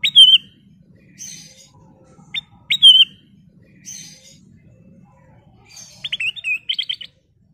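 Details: Sooty-headed bulbul (kutilang emas) in full lively song: clear whistled notes with a wavering end, about every two and a half seconds, softer buzzy notes between them, and a fast run of about eight quick chirps near the end.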